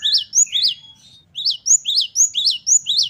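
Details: Great tit (gelatik batu) in lively varied song, giving sharp high upslurred notes in rapid pairs, about four per second, after a short pause.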